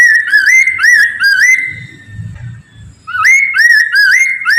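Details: Poksay Mandarin laughingthrush song used as a lure to prompt other poksay to sing: loud, rich whistled phrases of rising, looping notes, rapidly repeated in two bursts separated by a quieter gap with low rumbling.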